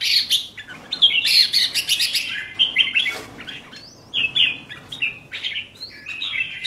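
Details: Caged red-whiskered bulbul kept as a songbird, singing short bright whistled phrases that rise and fall, delivered in quick bursts with brief pauses, some notes sliding upward; no other clear sounds.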